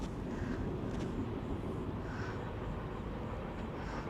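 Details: Outdoors, a dense low rumble of vehicle or aircraft engine noise fills the recording, strongest at low pitch, with a faint higher hiss above and no distinct calls.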